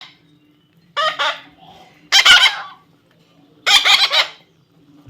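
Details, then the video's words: A baby parrot being tamed gives three harsh, buzzy squawks spaced about a second apart. A faint low hum runs underneath, with quiet gaps between the calls. "natural funny parrot sound"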